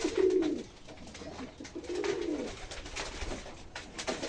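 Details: Kept pigeons on a cold foggy morning around feeding; two clear low coos, each about half a second, separated by a pause, over soft room noise.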